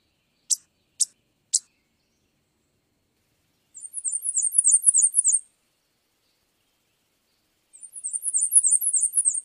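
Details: Black-and-white warbler singing: three sharp high chips, then two thin, very high, rapidly repeated see-saw phrase series, each about one and a half seconds long, separated by a pause, in quiet surroundings.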